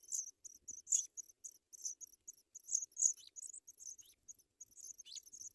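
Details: African pipit babies in their nest being fed white butterflies give piercing, high twittering notes, some with brief downward slurs, in irregular bursts over a quiet background.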